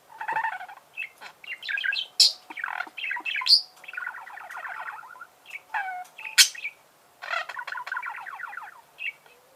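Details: Budgerigar song, a loud, continuous jumble of chirps, sharp squawks, buzzy rapid trills and high piercing whistles, with phrases tumbling one after another and only short pauses.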